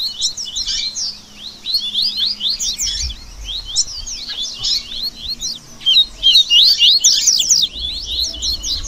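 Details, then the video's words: Several Double-collared seedeaters singing together as a lively group session meant to warm up and train song and spirit: dense, high twittering with quick sharp chirps and trills overlapping almost without pause, faint low rumble beneath. "Esquente Seu Coleiro Que Tem Fibra!!! Baderna Top Para Manejo De Canto e Fibra!!!"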